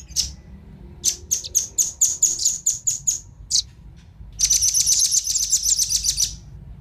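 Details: Lure recording of male and female velvet-fronted nuthatches: a series of very high, spaced, ticking chips, a short pause, then a rapid, buzzy high trill lasting about two seconds.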